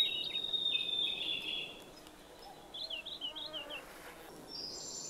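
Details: Song of a blue-and-white flycatcher, Khingan reserve, Amur region, Russian Far East: a bright sustained whistle, then a string of quick, high, twisting notes and a final higher whistled figure.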